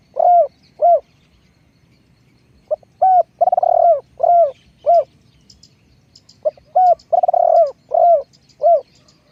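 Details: Spotted dove used as a decoy for luring wild doves: mellow cooing phrases, each a couple of short hooting notes and a longer rolling coo, given in two bursts with a pause between and faint chirps above.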